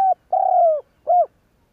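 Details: Spotted dove cooing to prompt other doves to answer: the tail of one note, then a long, slightly falling coo and a short, rounded final coo, clear and close.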